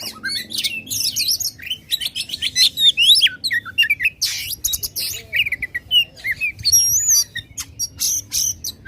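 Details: Oriental magpie-robin giving loud, varied song to provoke contest birds: dense run of whistles, trills and scratchy notes, with a high looping whistle near the end, continuous for nine seconds.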